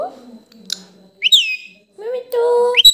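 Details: Pet parrot talking, asking for roti, in short varied whistled and voiced syllables, some rising sharply, ending with a sustained nasal tone and a bright upward whistle.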